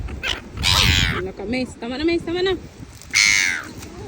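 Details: Seagulls fighting for food on a beach: loud, harsh screeching cries at the start and end, with a man's voice talking in between over low background noise.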